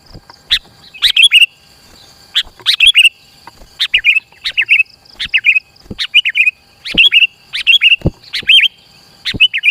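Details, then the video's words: Sooty-headed bulbul song used as a lure to draw other bulbuls near and as a tutor for young birds: short bright chirpy phrases repeated about every second, each a quick cluster of rising and falling whistled notes, with a faint steady high hum behind. "SUARA PIKAT KUTILANG GACOR ASLI_SUARA RAPAT_MENEKAN LAWAN MENDEKAT"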